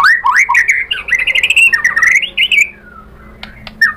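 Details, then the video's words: White-rumped shama, provoked into replying, delivers a dense fast warbled and squawky phrase for about two and a half seconds, then falls mostly quiet with a few faint notes. "MURAI BATU GACOR memancing EMOSI jadi NYAUT BONGKAR MATERI ISIAN"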